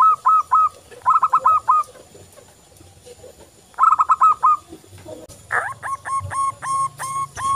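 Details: Loud local zebra dove from Indonesia, used for daily training of other doves, repeating quick phrases of four or five mellow hooked coos separated by pauses, ending with a longer run of spaced notes.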